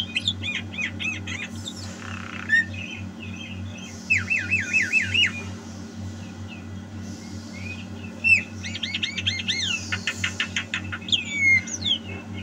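A Javan myna sings a busy jumble of looping whistles, rapid trilled runs and harsh squawks in short bursts, over a steady low hum.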